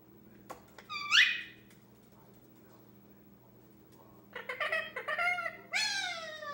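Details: A 10-month-old male Indian ringneck parakeet, kept as a pet indoors, talks and makes noises while playing by himself; a brief rising harmonic squawk, a pause, then a run of short warbling, falling syllables and a longer drawn-out harmonic call.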